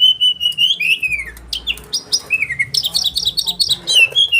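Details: Sharp-voiced oriental magpie-robin in "roll tembakan" style, for training caged birds; a long level whistle bending downward, short chips, then a burst of rattling buzzy notes and a closing rising whistle, soft hum behind.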